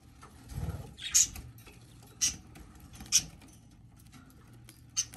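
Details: Baby budgerigar hatching, giving four short, very high, thin squeaky peeps spaced roughly one second apart, with soft low rustling and thumping from movement in the background.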